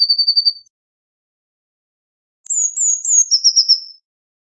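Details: Blue tit song: the tail of a level trill, then after two seconds a fresh phrase of high stepped notes dropping into a rapid tinkling trill of evenly spaced notes.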